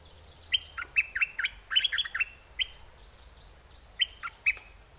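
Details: A red-whiskered bulbul decoy, with aggressive and wild mate-calling song styles, delivers a busy string of chirpy, slurred whistled notes, then pauses before two more short whistles, with faint high ticking behind.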